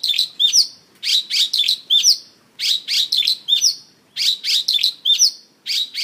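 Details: Singing Mongolian lark on a stage, dancing as it sings; short groups of shrill, rapid chirps and upward-flicking whistles come in bursts about every second, separated by tiny gaps.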